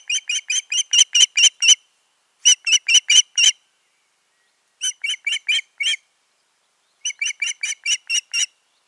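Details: Osprey pair at the nest, June 2019: repeated bursts of shrill, evenly spaced chirps, roughly seven notes per burst, separated by short silences.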